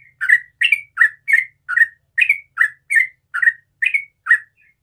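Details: Sooty-headed bulbul's morning song: eleven bright, bubbly slurred notes in a brisk, even series, each short and mellow, spaced about a third of a second apart.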